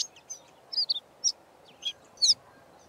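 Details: A Karoo scrub robin sings a varied run of sharp, high chirps and short whistled phrases, mimicking a Diederik Cuckoo and a Pin-tailed Whydah, over a low background hum.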